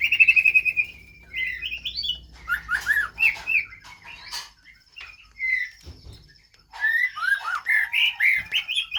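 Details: Caged white-rumped shamas early in pairing for breeding: a fast trill opening, then varied whistled and warbled phrases, some rising and slurred, separated by short pauses, with a brief knock.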